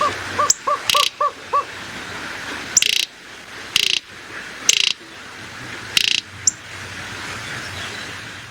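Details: Greater roadrunner in the desert gives a quick run of about six short hollow notes, then a series of dry, harsh clattering bursts spaced a second or two apart.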